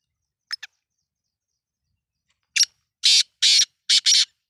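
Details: Pet Black francolin of the Sindhi nassal type giving its harsh call after two faint clicks and a pause: five loud, scratchy, buzzing notes in quick succession, the closing pair nearly joined, in an otherwise quiet setting.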